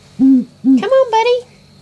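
An owl gives two low, even hoots, then two higher, harsher notes in quick succession, all within under two seconds.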